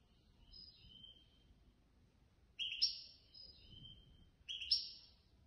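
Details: Third-placed competition European goldfinch from a Casablanca bird-lovers' association contest, heard rather quietly over background noise: soft high whistles, then two brighter twittering, jingling phrases a couple of seconds apart.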